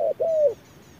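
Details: Spotted dove responding to a machine decoy at hot midday. A single phrase: a short low coo, then a longer coo that falls in pitch, followed by silence with a faint high twitter.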